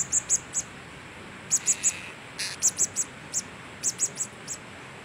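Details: Blue-crowned hanging parrot (serindit) calls in a series of very high, thin, sharp ticking notes, some in quick pairs or triplets, over a steady hiss of background noise.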